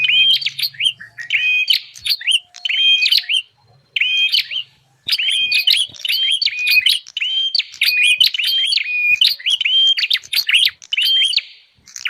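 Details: Bar-winged prinia lure recording meant to draw wild prinias together: a run of sharp, repeated chirping phrases, each a steady whistled note broken by quick up-and-down flicks, with brief pauses and a faint low hum early on.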